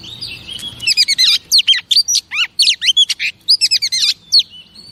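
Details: Female oriental magpie-robin singing to excite males: after a soft warbled start, a rapid sequence of high chirps and steep downslurred whistles, regularly spaced, with short gaps between bursts.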